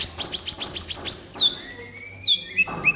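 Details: Sunbird known locally as kolibri ninja, singing vigorously in a master tutoring recording for captive birds: a rapid string of high sharp chirps ends in a downslurred whistle, then sparse thin notes and faint squeaks.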